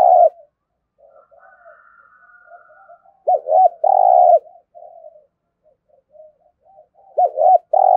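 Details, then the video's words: Spotted dove cooing in competition style with a thổ voice, Đồng Nai, Vietnam: a long coo ends, faint soft murmuring follows, then two phrases of a double note plus a drawn-out coo, about four seconds apart. "cu gáy thúc gù kinh thiên động địa vang cả xóm Đồng Nai, cu gáy gù đấu"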